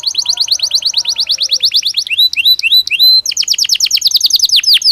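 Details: Caged canary during breeding season sings a quick rattling trill of high repeated notes, a few rising whistled slurs, then a fast buzzy roll; a faint second bird is heard early on.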